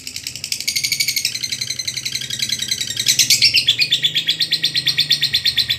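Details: A lovebird keeps up its long ngekek chatter, used as a tutor recording: a dense, fast, high, buzzy pulse train that grows louder and climbs in pitch near the middle, then continues evenly.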